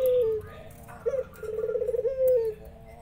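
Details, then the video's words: Spotted dove among local doves calling actively while other doves answer: a low falling coo, then a rapidly pulsed rolling coo, ending in another smooth descending coo. Faint indoor background. "burung perkutut tekukur tikukur deruk derkuku titiran ikut nyahut"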